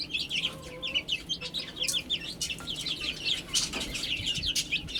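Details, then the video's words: Chicks peeping while they eat and drink: busy chorus of high, thin, descending cheeps, several per second, plus a few clicks and a brief lower whistle. "Cute Chicks Chirping Sounds"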